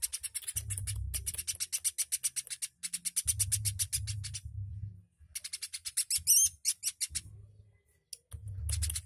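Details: Woodpecker in full voice for a songbird tutor recording: long rattling series of crisp high chips in fast runs broken by short pauses, one hooked note midway, a steady low hum beneath.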